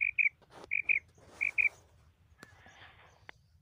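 A female common quail gives soft, high paired notes, three doublets about every 0.7 seconds, with rustling noise and a couple of sharp clicks afterward.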